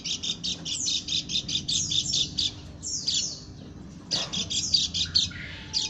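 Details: Strange call from a female Lombok white-eye: quick high chirping bursts in two runs separated by a short pause near the middle, ending with a scattering of squeaky notes.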